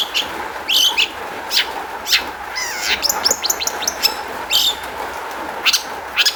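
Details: Long-tailed shrike song serving as a lure for other shrikes: scattered harsh bursts with a middle passage of fast warbled, slurred whistles, then more spaced sharp notes over a low steady hum.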